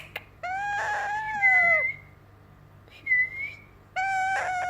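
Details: A young yellow Indian ringneck parakeet moaning like a cat: three drawn-out, harmonic-rich meow-like calls, the first long and gently falling, then a short rising squeak and a final steady moan, with quiet room noise between.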